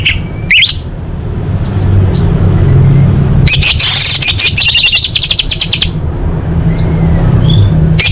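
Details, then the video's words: Orange-headed thrush song for training contest birds: after a quiet start and a few thin notes, a fast dense rattle of high chattering notes runs for about two seconds, then thin whistles over a low hum. "Masteran Anis Merah Full Isian untuk Lomba Besar & Latber Elite"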